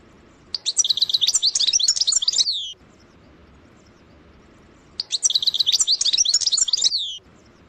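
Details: Two bursts of European goldfinch song, each about two seconds of fast, tinkling high twitters and trilled notes in the sarsara style, separated by a few seconds of near silence.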